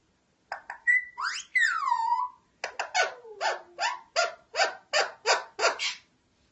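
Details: An Alexandrine parakeet (Psittacula eupatria) talks, giving clicks, a rising whistle and a long falling slide, then about ten harsh, bark-like bursts in quick, steady succession.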